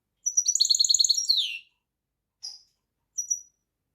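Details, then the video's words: European goldfinch singing: a fast tinkling phrase of rapid high trilled notes sliding down at the end, then two short bright chirps after a pause. No other sounds. "طائر الحسون # Singen Ganari Vogel"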